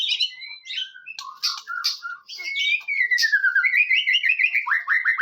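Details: White-rumped shama song to provoke other shamas into singing: harsh squeaky notes and clicks, then a long falling trill and a rapid repeated chattering series of downslurred notes.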